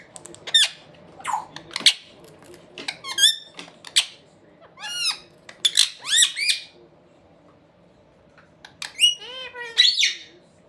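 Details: Pair of Indian ringneck parakeet brothers chatting away indoors, giving a lively run of sharp squeaks, shrill chirps and raspy squawks in quick clusters, with a short pause midway.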